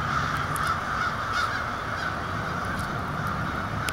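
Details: Huge gathering of crows by an apartment in lower Michigan during fall 2009. Constant massed cawing forms a rough, steady roar, with a few brief louder calls breaking through near the start and end.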